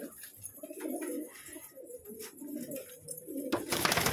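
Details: Colourful pet pigeons give soft, rhythmic coos for about three seconds. A sudden loud rushing noise then takes over at the end.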